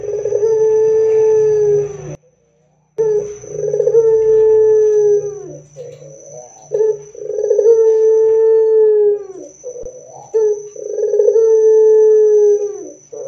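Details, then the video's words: Loud Barbary dove song for prompting other doves to sing: about five long coos, each opening with a rough rolling burr and fading with a downward slur, about every two to three seconds, one short silent gap. "PANCINGAN SUARA PUTER GACOR DAN KERAS AMPUH UNTUK BIKIN PUTER NYAUT BUNYI"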